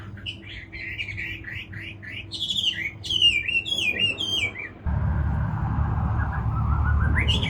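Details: Chinese hwamei delivering a bouncing series of repeated whistled notes, then higher, faster, downward-slurring phrases. After about five seconds a loud rushing noise takes over and a faint rising whistle continues.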